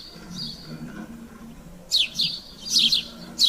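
A house sparrow gives a short burst of sharp, high chirps in the second half, each dropping quickly in pitch. A faint low hum fills the quiet start.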